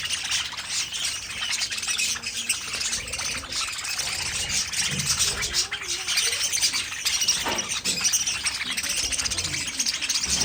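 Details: Pet budgerigars keep up a long bout of rapid, scratchy twittering and soft warbling at a steady level, with occasional louder chirps and faint low sounds in the background.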